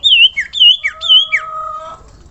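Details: Common iora calling to draw other ioras into song: three clear whistled notes, each dropping at the end, followed by long steady lower whistles fading out.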